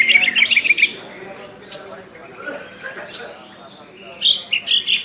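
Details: Greater green leafbird from West Kalimantan, a caged songbird, gives a burst of rapid, sharp chattering notes, then a quieter stretch with scattered high whistles, and a final burst of clipped, piercing notes.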